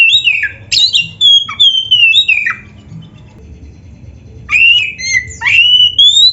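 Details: Oriental magpie-robin singing a training song for caged birds: clear whistled notes gliding down and up, bursts of sharp sliding phrases, a pause of about two seconds, then rising whistles resume.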